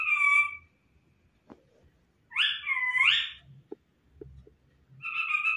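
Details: Talking pet parrot imitating a cat's meow: drawn-out nasal wavering cries, one rising and falling meow in the middle, separated by quiet gaps with faint clicks and room noise.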